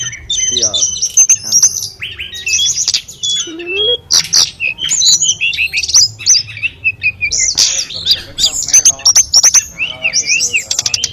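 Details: Hill prinia singing in mountain forest in Indonesia, natural water trickling behind it. A long, varied run of high whistled notes, sweeping slurs, buzzy trills and sharp chirps with scarcely a pause.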